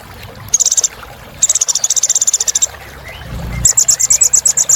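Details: Sunbird filler song meant to spur other birds to sing: long fast runs of dry, very high buzzy chips, broken by a pause, with a brief low rumble midway.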